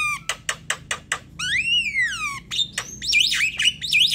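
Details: Javan myna song in the manggut style joined to a long ngerol roll, used as a lure to set other birds singing: rapid buzzy clicks, a long slurred falling whistle, then bright twisting whistled notes.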